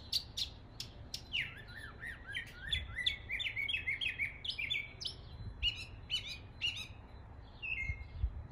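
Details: Mockingbird imitating local bird calls in an East Tennessee neighborhood: a varied, tumbling sequence of short chirps, squeaky slurs and sharp clicks, changing pattern every few notes, over a low background rumble.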